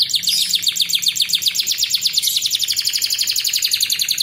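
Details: Master song of a canary for training young birds, sung as a fast, steady trill of bright repeated notes that shifts partway through to a quicker, higher series.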